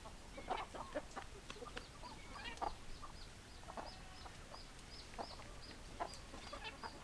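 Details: Chickens, hens and roosters together, heard as a busy flock: scattered short clucks and squawks throughout, with a faint repeated high tone running steadily in the background.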